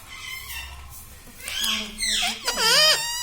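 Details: Pet green rose-ringed parakeet, said to say words like mummy, papa and radhe radhe, gives a few harmonic, arching vocal phrases in the second half after a quiet first second with a low indoor hum.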